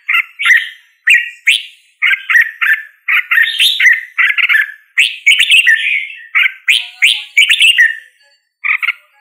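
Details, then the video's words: Red-whiskered bulbul in song: a long series of brisk, cheerful chirping phrases, each a few rapid whistled notes, repeated roughly once a second with short gaps. "Red whiskered Bulbul Singing Call Sound | Red whiskered Bulbul Bird Singing"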